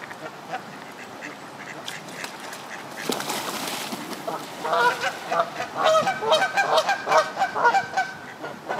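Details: Canada geese in moult on the South Pond at Midhurst, West Sussex, England. After a quiet, rustling start, a burst of loud, nasal honks begins about halfway through and repeats rapidly and unevenly in overlapping bursts.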